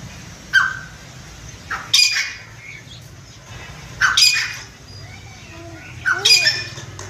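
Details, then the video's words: A captive grey francolin raised at home gives loud, harsh, grating squawks in short bursts about every two seconds, with a faint low hum behind. "chitta teetar voice"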